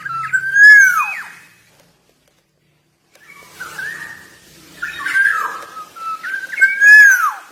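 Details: Actively singing black-naped oriole from Java: a loud liquid whistle that bends downward, silence, then a burst of chattery fluting and another rich down-slurred whistle.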